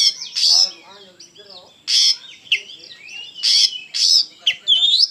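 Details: Oriental magpie-robin (kacer) in gacor song: loud piercing notes roughly once a second, between harsh buzzy phrases and rising whistled slurs, ending in an upswept whistle.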